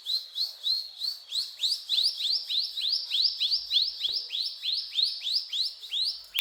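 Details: Mountain tailorbird singing actively in the cetrakan style, repeating bright upward-sweeping whistled notes roughly three times a second in an even, tireless chain, with one faint tap near the end.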